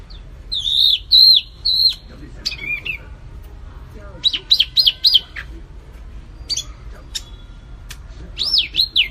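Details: White-eye, wambi mini, paired with kapas tembak: scattered wavering whistled phrases and short buzzy notes separated by quiet gaps, over low background noise.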